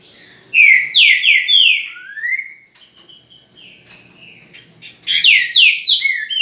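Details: Green-winged saltator singing on 10 November at 8:05 in the morning: a loud phrase of rich, downslurred whistled notes running together and ending in a lower rising note, a pause of quieter scattered notes, then another loud burst of slurred whistles.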